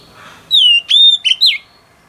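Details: Wild-caught female oriental magpie-robin singing to excite males. A bright descending whistle leads into a level ringing note, then a quick double chip and a falling slur, in a quiet setting.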